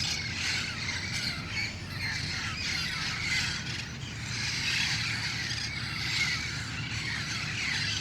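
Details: Red-crowned parrots, wild, gathering at dusk near their roost trees in El Cajon: a loud, unbroken wall of raspy screeches and squawks from the flock, plus a faint low background rumble.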